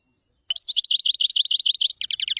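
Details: Rapid, even series of high chirping notes from a common chaffinch, changing near the end to a slightly lower, faster trill, in a clean recording.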